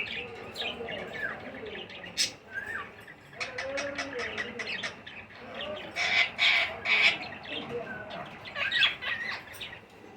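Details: Green ringneck (rose-ringed) parakeet chicks give harsh, raspy squawks and chirps in quick irregular bursts while begging as they are fed.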